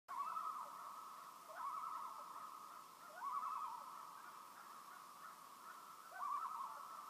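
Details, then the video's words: Loons calling on a peaceful lake in Maine: rapid, wavering tremolo phrases near the same pitch, each lasting about a second, arriving roughly every two to three seconds over a steady hum of background noise. "Song of the Loons"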